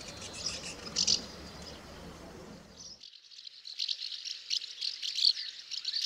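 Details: House martin twittering: dense, dry, rattling high chirps, first mixed with background noise, then continuing alone as a fast, buzzy chatter.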